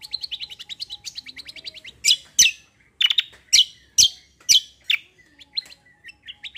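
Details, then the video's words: Cucak kombo songbird singing kecial kombo roll, opening with a rapid rolling trill of high notes for about two seconds, then loud sharp chips repeated roughly every half second. "CUCAK KOMBO KECIAL KOMBO ROLL TEMBAK GACOR COR"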